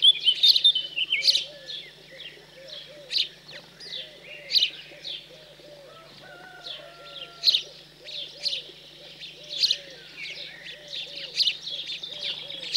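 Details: Post-fledging feeding of house sparrows in the cold central French countryside, 15 June 2020: rapid busy chirping throughout, with a dove's low repeated cooing underneath.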